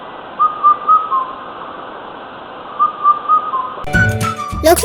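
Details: Indian cuckoo (Cuculus micropterus) in Sri Lanka calls: two phrases of four clear whistled notes, the last note lower, about two seconds apart; music begins near the end.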